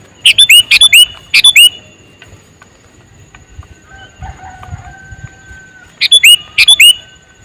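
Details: Male sooty-headed bulbul giving loud, clear, bubbly whistled notes in short runs of three or four, then a quiet gap with faint distant tones before another pair of notes.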